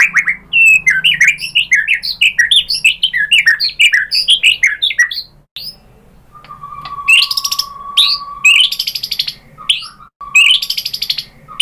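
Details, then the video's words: White-rumped shama lure for triggering song: dense rapid twittering of scattered high notes, then a long flat whistle alternating with harsh buzzy bursts. "bikin NYAUT ‼️ MURAI BATU jadi EMOSI GACOR BONGKAR ISIAN ¦ PANCINGAN MURAI"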